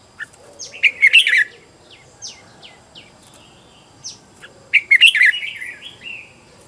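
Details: Red-whiskered bulbul kept as a decoy to call in wild birds, singing two loud rich warbled bursts separated by a series of quick descending chirps, with fainter twittering after.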